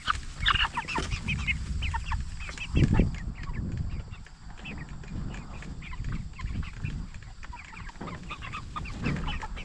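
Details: Jumbo Cornish Cross broilers, 44 days old and raised for meat, chirping as a crowd. Dense bursts of thin, high peeps cluster near the start and end, with softer gaps between, over constant deep background droning.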